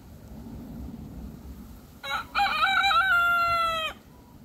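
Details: A single crow of about two seconds from a Barnevelder rooster (Gallus gallus domesticus): a short stuttered opening, then a long, steady, strained note that cuts off sharply.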